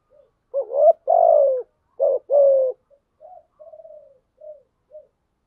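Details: Spotted dove decoy cooing to prompt other doves: two full warbled-then-drawn-out coos, then a string of soft, short, fading low notes.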